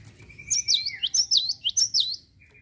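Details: Java sparrow in full song, used to provoke other birds into singing: a level whistled note, then a run of about eight bright, looping, bell-like notes bouncing high and low in quick succession.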